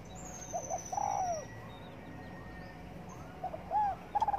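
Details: Spotted dove sunbathing in the morning, giving soft mid-pitched cooing phrases: a short double note, then a longer drawn-out downslurred croo, with a quiet gap before another similar sequence.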